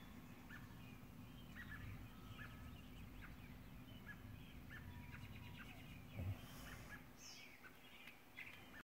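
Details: A subadult Purple martin pair returning at dusk to roost at their nest house after feeding gives short, soft chirps and gurgled notes at an uneven pace, over a steady low rumble of wind or distant traffic.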